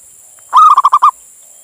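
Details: Calling to attract a female, a local male zebra dove gives one phrase of a drawn-out mellow coo followed by four rapid throbbing notes, with a constant high electronic tone behind it.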